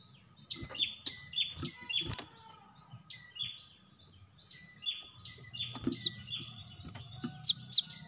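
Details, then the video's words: Brown-throated sunbird played as a bird lure: rapid chirps falling in pitch, then several piercing high notes near the end, with a low hum and faint clicks underneath. "Kolibri kelapa | kolibri manggar | wiceh | suara pancingan burung korlap"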